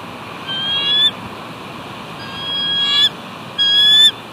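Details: Eagle pair at West End on 29 March 2019, guarding their nest from an intruder: three thin high whistled squeals, each about half a second and slightly rising, against steady background hiss.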